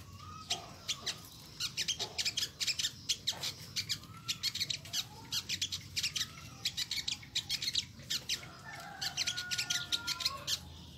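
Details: Olive-backed sunbird (sogon) calling its typical 'nyecret' notes: a long run of rapid, piercing high chips, often in tight doublets and triplets, nearly continuous; faint rooster crowing drifts in from the distance.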